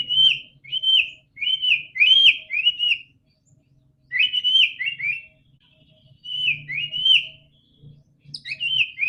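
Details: White-rumped shama song intended to make a quiet bird sing: short bursts of high, clear whistled notes in small clusters, separated by pauses of one to two seconds, over a steady low hum.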